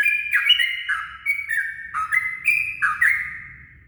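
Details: Yellow-vented bulbul song at daybreak, played as a lure: several bright, warbling phrases of slurred notes close together, each rising then falling, with a light rumbling undertone.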